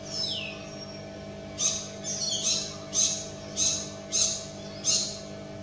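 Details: Wild parrot giving six short, high, shrill calls at uneven intervals of roughly half a second to a second, after a thin descending whistle, over a steady low electrical hum.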